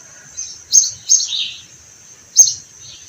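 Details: A few sparrow chirps in spring beside blossoming orange trees: three or four sharp, high notes, one sliding downward, separated by a pause, over a steady faint high hiss.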